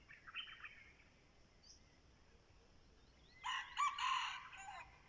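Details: Red junglefowl crowing as a decoy: a faint harsh call, then a loud raspy broken crow lasting about a second, in otherwise quiet surroundings.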